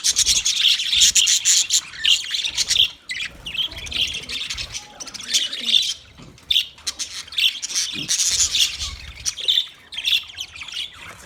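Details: Several budgerigars chirping, made for a lonely bird: dense, continuous chatter of quick high buzzy chirps and squawks, bursts running nearly without pause, with short quieter gaps around three and six seconds.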